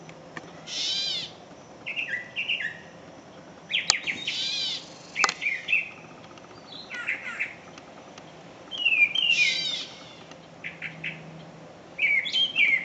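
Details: Gray catbird singing at dusk, starting a chorus that a mockingbird joins: a rambling run of short, squeaky, varied phrases with mews and chatters, separated by brief pauses, over a faint low hum.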